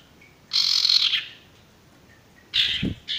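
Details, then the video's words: Male sirtu bird singing for training birds that are stressed or not singing: two broad buzzy bursts about two seconds apart, the second with a brief low thump, followed by a short buzzy fragment. "masteran burung sirtu"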